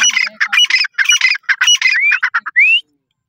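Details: Partridge calling in dense, harsh chattering bursts, closing with two clear upward-sliding whistled notes.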